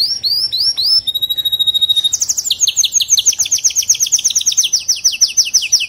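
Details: Canary song offered as a model for canaries that sing weakly: quick upward-sweeping whistles, a held pure high note, then a long run of rapid, bright, repeated trill notes.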